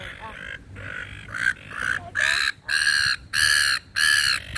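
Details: Seagulls being hand-fed in a park with people chatting: a run of loud, rasping squawks, each about half a second long, repeated almost every second and getting stronger toward the end.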